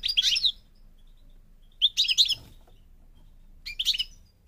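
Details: Goldfinch of the North African parva form from Morocco giving three short, separate bursts of tinkling, buzzy twitter about two seconds apart, with quiet gaps between them.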